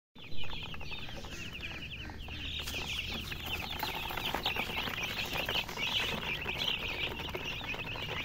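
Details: Many domestic chicks peeping together, a dense flock of high, quick, arched chirps overlapping nonstop, with scratchy clicks and a low steady hum underneath.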